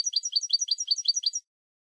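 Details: Spanish goldfinch song: a quick, even run of about fifteen bright, tinkling notes delivered in under one and a half seconds, then silence.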